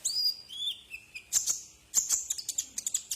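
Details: Brown-throated sunbird song used as a tutor recording for cage birds: high thin whistles and sharp chirps, a falling slurred note, then rapid clicking high chips in quick bursts.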